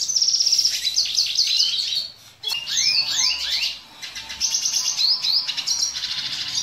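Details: A dilute-mutation red siskin sings a fast, unbroken run of high twittering notes, buzzy trills and quick rising and falling whistles, with two short pauses; song used to tutor young siskins.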